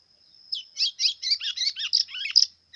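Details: White-throated seedeater, a brownish 'pardo' bird singing the 'pressão' style, delivers a fast run of buzzy, twittering notes from about half a second on, some dipping lower, over a steady high whine.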